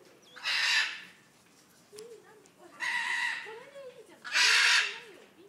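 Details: Vulturine guineafowl in a zoo in Kanagawa, Japan, recorded on an iPhone: three loud, harsh, rasping bursts about two seconds apart, each roughly half a second long, with quieter voices murmuring underneath.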